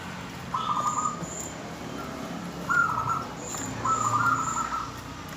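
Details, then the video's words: Calling female zebra dove trying to draw a male into song, heard as brief quavering trilled bursts repeated about every one and a half seconds over steady low background noise. "perkutut betina memanggil jantan"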